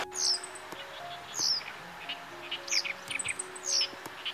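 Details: Japanese Wagtail singing against Oriental reed warblers by a river in Kita-Harima, Hyogo, Japan: bright, high, sharp chirps in short bursts about once a second, with softer twittering between and a faint low hum.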